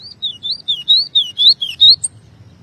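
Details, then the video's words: Double-collared seedeater singing strongly: a quick, high warbled phrase of about eight sweet, wavering whistled notes rising and falling, ending in one sharp upper note, all within under two and a half seconds, with a quiet background. "Golinha Cantando como Nunca!"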